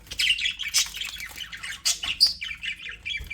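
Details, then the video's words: Budgerigars chirping happily in an aviary: rapid, overlapping high chirps and short squawks, busy and irregular throughout. "HAPPY BUDGIES SOUNDS"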